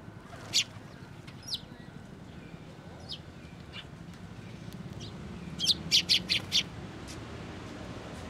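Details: At a Tenmangu shrine on 25 April 2024, sparrows come to feed at a post. A few scattered high chirps lead to a burst of four or five rapid, bright notes near the end.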